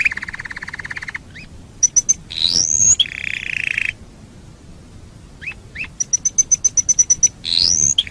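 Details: Master recording of a canary for bird training: buzzy rolls, rising chirps, high piping note series and upward-sliding whistles, separated by short pauses.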